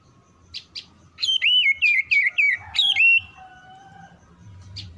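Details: Oriental magpie-robin quickly answering another song with a fast burst of bright whistled notes, swooping phrases repeated about four times a second, with short chirps before and after and a faint hum beneath.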